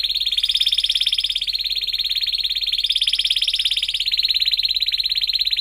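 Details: Young canaries learn to sing from this canary lure song, a sustained, very fast, high-pitched rolling trill with slight shifts in pitch, steady throughout.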